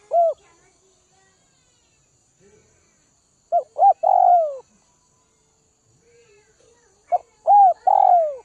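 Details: Spotted dove of Northwest Vietnam, being tamed through feeding, singing a lone falling coo, then two full phrases of short staccato notes ending in a long, soft, descending croo, with faint background murmurs.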